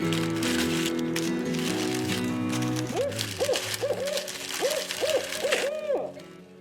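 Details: A Barred Owl gives a rapid run of about eight arched, mellow hoots on a cold, foggy winter morning at a camp on Wolf Lake, Temagami, Northern Ontario; soft instrumental music underneath.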